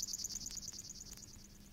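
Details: A common grasshopper warbler in the water-meadows and coastal pastures of Matsalu, Estonia, in a 1979 field recording reels a high, dry, insect-like trill of rapid even pulses, steady and unbroken, over a faint low hum.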